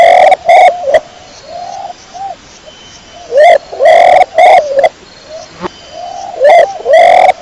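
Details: A rapid series of pigeon coos: loud, short, pulsing notes come in quick clusters, mixed with softer, lower cooing phrases.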